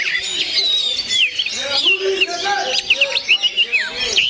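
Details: Gondo mayit song of an oriental magpie-robin: a long sliding whistle at the start, then sharp downslurred notes and a run of short, evenly spaced chirps near the end.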